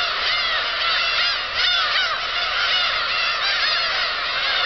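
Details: Black-tailed gulls at Kabushima, Japan, taking off together on 13 March 2016; crowded mewing cries with some clear rising-falling wails standing out near the middle, over a continuous colony din.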